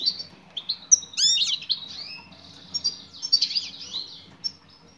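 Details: Calling female European goldfinch directed at a male: a thin high chirp, then a loud jumble of rapid twittering notes, a pause, and a second twittering burst.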